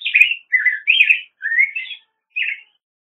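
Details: Black-headed grosbeak singing a run of rolling, robin-like warbled phrases that rise and fall in pitch, four linked notes followed after a pause by a single shorter phrase, with a clean background and no other sounds.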